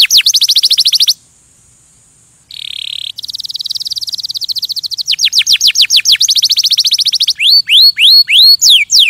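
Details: Singing canary: a fast high trill, a pause, a buzzy low roll, then an accelerating chain of falling notes finishing with loud hooked whistles repeated about twice a second.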